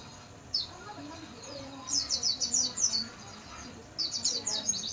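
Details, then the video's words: Oriental white-eye recorded at night as a tutor song for training: high, thin, rapid warbling of twittering notes in quick bursts, with a faint murmur of background noise. "MASTERAN PLECI MALAM HARI"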